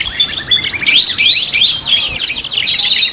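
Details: Canary song, part of a five-in-one lure compilation: bright arching whistles and quick chip notes tumble over one another in a busy, loud, continuous high warble.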